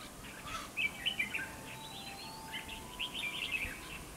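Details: Decoy red-whiskered bulbul in a fighting trap delivering rapid chattering warbles in two bursts, near the beginning and the end, while a thin steady whistle-like tone runs across the middle.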